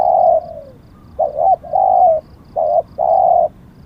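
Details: Spotted dove decoy singing: a long coo trailing downward, a pause, then two phrases of a quick wavering note joined to a steady drawn-out coo.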